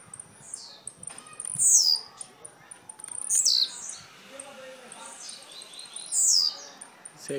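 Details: Blue-black grassquit in Jacarepaguá, Rio de Janeiro, Brazil, uttering three high, buzzy descending phrases roughly two seconds apart, with clicks, rustling handling noises and a brief human voice near the end.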